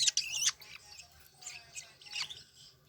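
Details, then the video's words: Long-tailed shrike nestlings from Banyuwangi compete while being hand-fed. One loud, rasping screech opens the sequence, followed by softer scratchy begging notes at irregular intervals. "Serunya meloloh anakan burung cendet BWI saling berebut makan."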